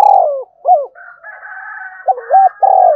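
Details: Spotted dove giving urging and calling coos in a voice said to suit wild doves. Low, hollow cooing phrases with overlapping notes and a faint higher hum in the middle, ending on a rolling coo.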